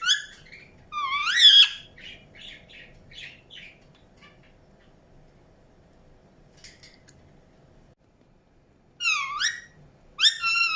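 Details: Indian ringneck parakeet chirping: a loud rising screechy note, then soft scattered chatter, a long near-silent stretch, and two more loud upward-swept calls at the end.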